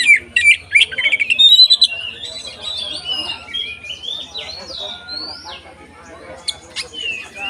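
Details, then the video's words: Kacer 'konslet ngeplong' song to provoke other kacer: a loud burst of rapid chattering notes, then a long series of drawn-out, rising whistles that grow fainter, with soft background noise. "SUARA BURUNG Kacer konslet NGEPLONG untuk PANCINGAN KACER supaya lebih EMOSI"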